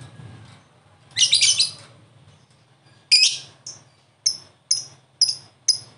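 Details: Lovebird in a ngekek song-answering session: a short burst of harsh high chatter, then after a pause a few sharp, clipped high chirps spaced roughly half a second apart.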